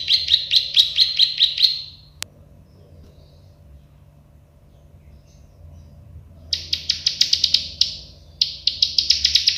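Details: Plain prinia, called prenjak sawah or klik-klik, gives a burst of rapid buzzy ticks, falls silent for several seconds apart from a single sharp click, then resumes with two more quick rattling phrases.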